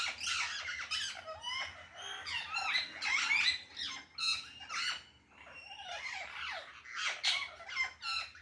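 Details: Several parrots calling loudly on a balcony: dense, overlapping shrill squawks and screeches in rapid bursts, harsh and high, with brief lulls between flurries.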